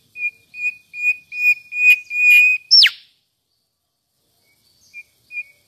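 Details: Mangrove whistler giving about seven short, level whistled notes spaced roughly every half second and growing louder, capped by one sharp, steeply falling whistle, then near silence with faint notes.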